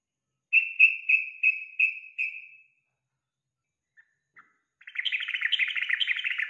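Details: Yellow-vented bulbul, as a prompt for a kept bird to sing: six evenly spaced clear whistled notes, then after a short gap a dense stream of fast bubbly, chattering phrases.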